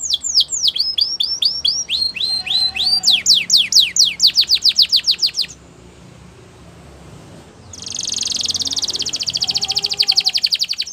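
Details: Belgian canary singing a sequence of falling notes and upslurred whistles that quicken into a rapid trill, a quiet gap, then a long dense buzzy rolling trill.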